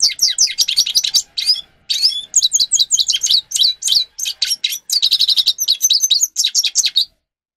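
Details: Grey-crowned goldfinch in continuous song for training cage birds: dense bursts of sharp, high twittering notes and slurred whistles run almost without a break for about seven seconds.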